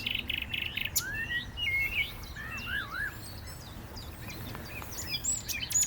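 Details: A common nightingale sings at Cliffe Pools RSPB reserve on 18 April 2022, a rich, varied run of slurred whistles, quick repeated notes and high chirps; a wren, blackbird, black-headed gulls and chiffchaff may be heard too.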